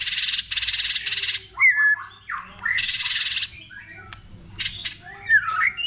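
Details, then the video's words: Many-voiced White-rumped shama song used to rouse other shamas: grating buzzy rattles lasting about half a second each, mixed with twisting whistled notes and a few sharp clicks. "Kích Chòe lửa hót nhiều giọng"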